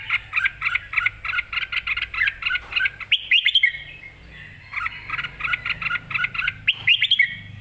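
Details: Red-whiskered bulbul, excited and singing clearly, gives rapid rhythmic runs of short chirping notes, then louder rising warbled phrases, with a low hum beneath.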